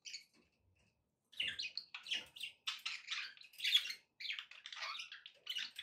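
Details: Pet budgies, a group, chattering almost continuously after a short quiet opening: overlapping scratchy warbles, squeaks and buzzy chirps in quick, irregular succession, in a quiet room.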